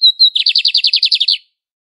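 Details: Classic song of a lined seedeater, a bird found in nearly all Brazilian territory: two bright whistled notes lead into a rapid, rattling trill of around a dozen repeated buzzy pulses.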